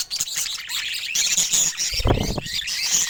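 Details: A lively group of pet budgerigars keeps up a continuous high, buzzy twitter with thin whistled notes and a low flutter midway.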